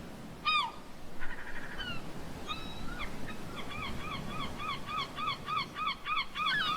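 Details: Seabirds calling on Fossils Beach in the Basque Country: clear, ringing, down-slurred yelping notes, first scattered, then repeated in a quick regular series, over the steady rumble of sea waves.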